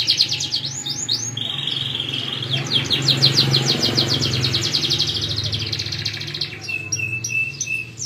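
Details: Canary song with fast high trills and a steady whistled note, over a low background hum and faint murmur.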